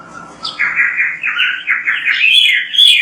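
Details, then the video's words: Oriental magpie-robin in full song for training other birds: a loud continuous chain of varied, fluting whistled phrases rising and falling, with a few sharp high notes near the end. "MASTERAN BURUNG KACER GACOR BERSUARA MANTAB"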